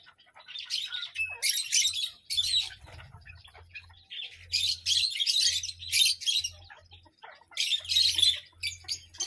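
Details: Series of loud, rasping parrot squawks delivered in rapid, irregular groups with brief silences between, accompanied by a faint low background hum.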